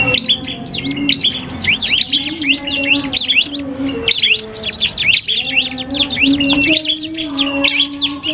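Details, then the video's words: Iora and prinia in a song duel for cagebird training: fast runs of sharp whistled sweeps and trills, one long phrase after another with short breaks, over a constant low droning hum. "FULL DUEL SUARA Cibelk kristal VS prenjak"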